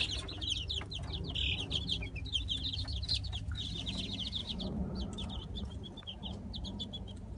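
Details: Light Brahma chicks newly settled into their coop: many high, thin peeps repeat rapidly and overlap in a steady chorus over a constant low hum.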